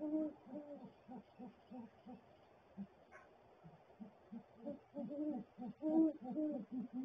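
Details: Great horned owls together in the nest, the male making gular-like sounds with hooting; low pulsed notes repeat, pause briefly, then resume alongside stronger drawn-out hoots toward the end.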